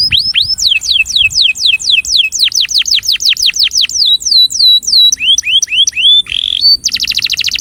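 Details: Attraction song from a breeding male canary: loud, repeated downslurred whistles at a steady pace, a run of rising notes, a brief buzzy note, then a fast, high, rattling trill.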